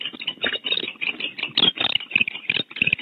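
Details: Barn owls, a female and a male at a nest cavity in California, vocally defending it; dense raspy, broadband bursts follow one another rapidly and unevenly over a few seconds in a small enclosed space.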